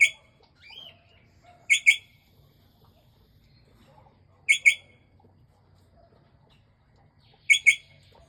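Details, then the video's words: Port Lincoln parrot giving sharp, harsh two-note calls, each pair quick and squawky, repeated roughly every three seconds over near silence. "Krágen papagáj hangja (Port Lincoln Parrot sound)"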